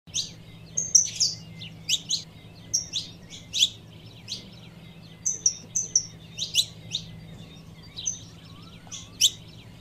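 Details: A female saffron finch (Sicalis flaveola) calls to excite a male, giving high, sharp chirps and short thin whistles, about two or three a second, over a faint low hum.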